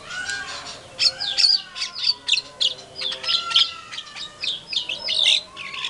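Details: White-rumped shama, a lure recording meant to provoke other shamas into answering in agitation: a rich, fast song of varied high whistled phrases mixed with harsh chattering notes, with a sustained faint tone underneath.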